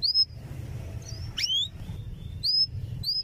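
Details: Canary song meant to stimulate young canaries to learn: a handful of bright rising whistled chirps and one steep downward-swooping slur, spaced out over a steady low hum.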